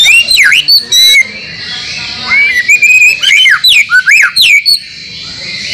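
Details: Training recording of a white-rumped shama dated 30 April 2024, used to spur caged shamas into constant singing, its song filled with mimicked phrases of other birds: varied loud whistles, swooping down-and-up notes and rapid bursts, steady high hiss behind.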